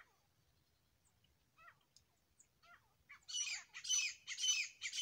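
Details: Grey francolin, described as a pair calling: faint scattered chirps for three seconds, then loud, harsh, high-pitched notes repeated in quick bursts roughly every half second.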